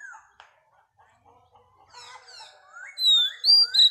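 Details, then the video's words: Oriental magpie-robin, a wild-caught female, sings to stimulate males: faint murmured notes and soft warbles rising into two loud, clear, upward-sweeping whistles at the end. "Choè than mái bổi lên giọng hót kích trống"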